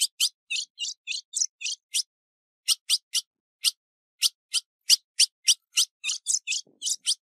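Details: Female ultramarine grosbeak, a caged bird recorded 15 June 2019 in Brazil for training, calling and chirping: a series of short, sharp, high chirps, some buzzy, in irregular bursts with brief pauses; background otherwise quiet.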